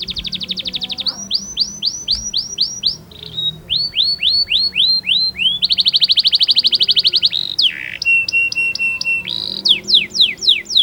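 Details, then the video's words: Canary song used as song-teaching audio: long loud phrases of repeated high arched whistled notes, rapid buzzy trills, and a harsh rattling burst, each phrase swapping to a new note type. "MASTERAN KENARI"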